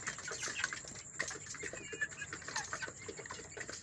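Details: Young chicks, newly added and reported as fighting, give rapid overlapping high chirps and peeps, some with small upward slides, over a continuous electrical hum.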